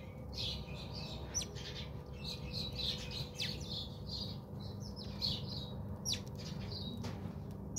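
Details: House sparrows bathing at a home in South Africa, giving a busy series of short, bright chirps that overlap and tumble over one another, over a steady low hum.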